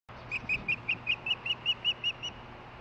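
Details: Osprey, a female, calling from close by but out of sight as she gets a fish delivery, recorded on 23 July 2015 at night; a series of about eleven short, high chirps, evenly spaced and steady over a faint hum.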